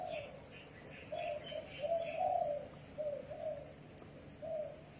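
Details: Spotted dove coos in soft, rolling low notes, one swelling louder in the middle, while another bird's thin, higher chirps sound faintly at the start.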